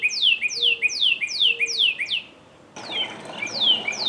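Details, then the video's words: Northern cardinal delivering a run of repeated falling whistles about every half second, a brief pause, then the same slurred notes resuming against a noisier background. "Sound of Northern Cardinal"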